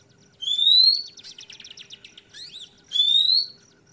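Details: Oriental magpie-robin (kacer trotol) singing a loud ngeplong song: a clear, rising whistle, a fast run of buzzy ticks and slurred chirps, then a second rising whistle.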